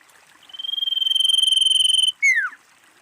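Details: Female common iora calling, a sound used as a lure that other ioras answer: a high, steady, rapidly pulsing trilled whistle held about one and a half seconds, then a short loud note sliding sharply downward.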